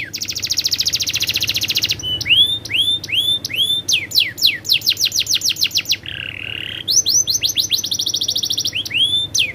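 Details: Rolling canary song in varied tours: rapid high trills, series of upswept whistled notes, a buzzy low roll, then trills and upswept whistles again, nearly continuous.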